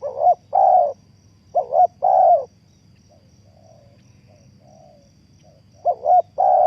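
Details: Spotted dove used as a trapping lure, with loud double-part coo phrases at the start and end. Fainter, softer coos from a more distant dove fill the gap between them.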